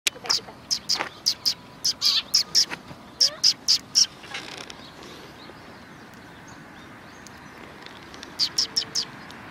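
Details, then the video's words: Several sparrows recorded on 31 October 2019 chirping back and forth: a quick run of short, high, sharp chirps in bursts, a pause of a few seconds, then another brief cluster of chirps. "可愛いすずめ達 20191031 1（くっつき君と意味不明な会話）"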